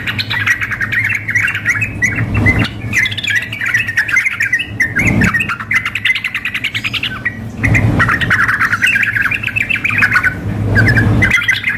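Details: Sooty-headed bulbul, female calling male mixed with an excited male for contest practice: long stretches of rapid, overlapping chattering and bubbling notes, broken by brief gaps with thuds, and a low humming drone throughout.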